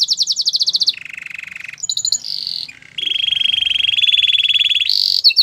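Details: A canary performs a training song of quick high pulsed notes, a lower rattling roll, brief whistles, then a long even buzzing trill and a final high burst.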